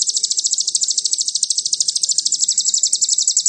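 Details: Crimson sunbird in 'nembak cililin' song meant to excite rival birds: a continuous shrill trill of quick, evenly pulsed high notes, slightly uneven in loudness, with quiet rustling underneath.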